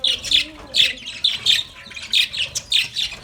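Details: Happy budgerigars playing in their cage give quick bursts of high, scratchy chirps, roughly one every half second, with a faint low warble beneath.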